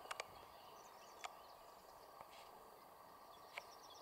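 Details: Red-backed shrike (Lanius collurio) at Ljubljansko Barje, Šinkov štradon, Ljubljana, Slovenia, 20 May 2023, gives a few sharp, harsh clicking notes, two quickly together, then singles at irregular gaps, over steady low rural hum and faint insects.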